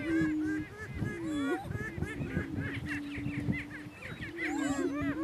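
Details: Male Greater Prairie Chickens, a pair battling on a northeast Kansas lek, give repeated curved whoops and cackles above a low steady booming tone that briefly dips and wavers.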